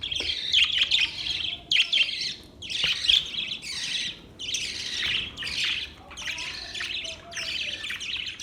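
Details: Budgie chirping in rhythmic packets of scratchy high notes, about one burst a second, steady and busy with short gaps between groups.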